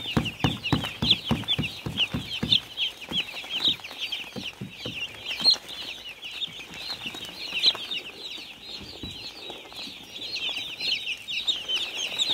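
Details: Many baby chicks on a farm peep constantly in high, slightly rising chirps that blend into a dense twittering mass; low thumps sound in the first few seconds, then fade to scattered knocks.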